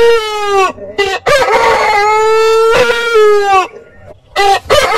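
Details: Rooster crowing, a long harmonic cock-a-doodle-doo that holds steady and then drops at the end, followed by shorter harsh crow notes. Clucking bursts come before it.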